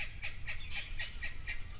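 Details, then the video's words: Natal spurfowl group with youngsters cackling harshly, grating notes repeated about four times a second, over a low rumble at a waterhole with zebra, impala and blue wildebeest on a near-windless day. "And you can hear the Natal spurfowl making a racket."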